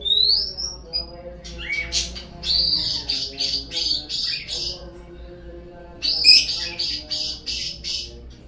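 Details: Lure recording of a white-rumped shama meant to get birds singing: an opening rising whistle, then rapid repeated high chattering phrases in two bursts, backed by a constant low droning hum.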